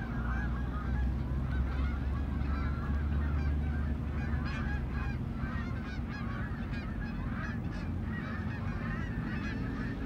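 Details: Canada geese approaching and coming in to land, giving repeated nasal honks in a busy overlapping chorus over a strong low rumble of wind or background noise.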